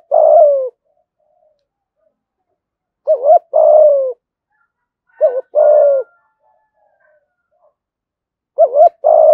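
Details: Fight-provoking luring call of a spotted dove: low mellow phrases of a brief double-bumped note plus a drawn-out falling coo, repeated about every two and a half seconds with clean silence between.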